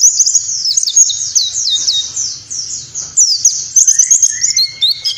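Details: White-eye (pleci) 'nembak' style tutor song for caged pleci, to be played mornings at dewfall: continuous rapid, high, slurred warbling with a thin rising whistle near the end and faint low noise.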